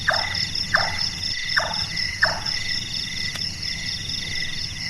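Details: Large-tailed nightjar, called burung tukang for its hammering sound and active at night, gives four quick knocking notes in the first two and a half seconds, then falls silent; steady insect buzzing continues.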